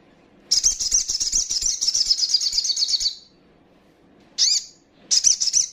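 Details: Young female little spiderhunter calling to stir up rivals: a long chattering run of rapid piercing notes lasting about two and a half seconds, followed by two short sharp bursts.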